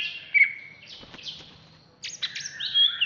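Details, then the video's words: Agitated ngamuk song of a contest-ready captive greater green leafbird, Alas Purwo type, from Jatiasih, Bekasi: high sliding whistles and steep downward sweeps running into a bright, buzzy warbled burst near the end. "Cucak Hijau Alas Purwo Ngamuk"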